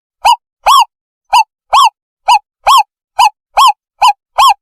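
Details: Lure call of an owl for catching owls: ten short, rich, arching hoots repeated steadily about every half second, alternating shorter and longer notes, nothing else audible.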